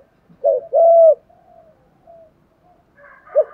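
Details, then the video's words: Spotted dove cooing to provoke wild doves: one short hoot and a long even coo, followed by faint low cooing and the start of another hoot. "Tiếng chim cu gáy kích bổi mới [ tiếng THÚC, GÁY GỌI, GÙ ĐẤU ] CHIM CU GÁY KÍCH BỔI"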